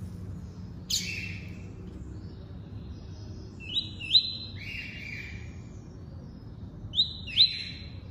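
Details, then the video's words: A double-collared seedeater gives tuí-tuí type song, spaced phrases of sharp rising slurs followed by sustained high whistles, one slightly lower-pitched, plus an opening sharp click, against a steady low hum. "COLEIRO FLASH ENCARTE (TUÍ-TUÍ)"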